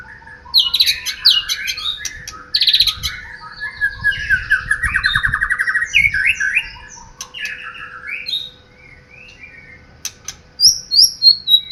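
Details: White-rumped shama singing a rich, varied song of loud whistled and warbled phrases, mixing sliding notes, rapid chattering trills and sharp high clicks, with pauses between bursts and a faint low hum throughout.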